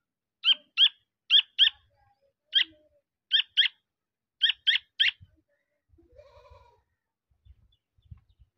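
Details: Black francolin (kala teetar) chick calling: sharp, high squeaky notes given singly or in quick pairs at irregular intervals, followed by faint low chirrups and soft clicks.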